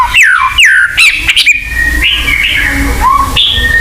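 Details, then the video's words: White-rumped shama song for luring caged birds into singing: two loud descending whistled swoops, a short rattle, then long level and rising whistles. "pancingan burung murai batu agar bunyi"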